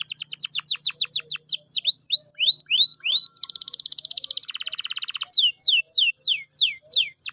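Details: Canary song as a lure for a reluctant canary: quick series of falling slurred whistles several per second, a fast buzzy rattle in the middle, then more swooping downward notes.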